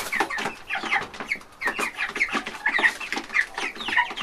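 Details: Baby chicks in a group, peeping constantly: dense overlapping high chirps, each short and slightly downslurred, several per second, with no pause and no other sounds.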